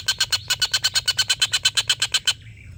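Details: Collared kingfisher laughing call, recorded as tutor material for competition birds sought by shama keepers: a quick string of harsh, evenly timed kek notes that stops abruptly, followed by a faint falling tone.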